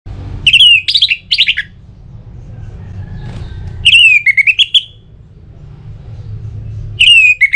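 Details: Orange-headed thrush song used to prompt other birds to sing: three bursts of loud, clear whistled phrases, rising and falling with rapid slurred notes, separated by pauses over a low steady rumble.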